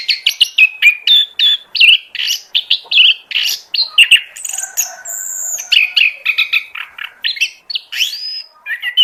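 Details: Oriental magpie-robin singing a lure song for attracting birds, a dense, continuous run of short sharp chirps and whistled notes with a few high, sweeping slurs.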